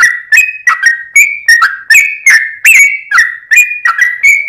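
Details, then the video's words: Lure recording of a sooty-headed bulbul singing actively: loud whistled notes with upward flicks and a few higher, strained notes, grouped in pairs and triplets with short pauses. "trucuk cocot tonggo || trucuk gacor || trucuk pikatan"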